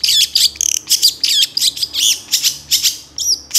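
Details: Long-tailed shrike song from a master recording for tutoring songbirds: rapid, high looping whistles and twisted slurred notes with brief trills, packed closely together, ending in a thin hooked whistle.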